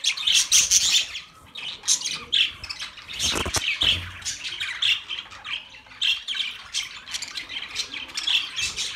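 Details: Several pet budgerigars squawking and chirping: harsh, grating high calls repeated in quick bursts, a continuous busy chatter with a few louder sharp squawks.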